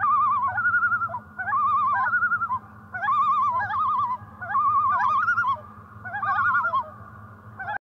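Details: Loons on a lake in spring give quavering, warbling calls in rapid wavering phrases, repeated roughly every one and a half seconds with short pauses between, over a steady low hum in the background.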